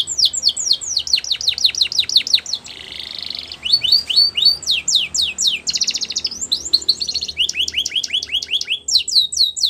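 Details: Singing canary in the wild, varied phrases of steep descending chips, a buzzy harsh rattle and rolled trills, delivered rapidly and continuously.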